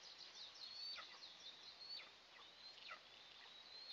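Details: Two Eastern imperial eagle eaglets in the nest at the first meal of the day, 29 June 2024, nest camera. Shrill, high whistled notes, some held level and some sliding steeply down, about once a second, over hiss.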